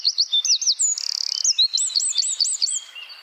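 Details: Small wren giving rapid 'tembakan' song used to train songbirds: high looping whistled notes, a brief buzzy trill, then a run of five or six quick hooked notes.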